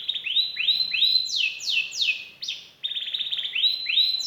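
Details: Canary in full song with rich phrasing: rolling upswept whistled notes repeated about three per second, long falling slides, a brief pause, then more rising notes and a short rapid trill.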